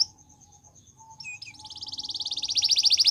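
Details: Gloster canary song used for training: a thin high whistle with a faint lower tone, then a rapid, accelerating trill of bright repeated notes growing louder toward the end.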